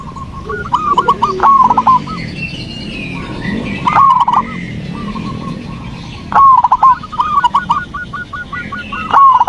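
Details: Zebra dove singing, played to coax a quiet terrace dove into answering: bursts of staccato cooing notes ending in trilled runs, with gaps of low rumbling background noise between phrases.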